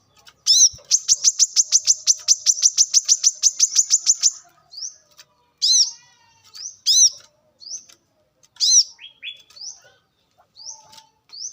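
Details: Brown-throated sunbird from the wild, recorded as a lure for training birds: a fast even trill of about twenty high ticking notes lasting three seconds, then scattered loud arched chirps and brief rising slurs.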